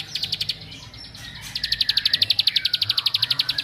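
A prinia gives a fast, high, ticking trill of sharp repeated notes, about four per second, rising to a steady rapid burst.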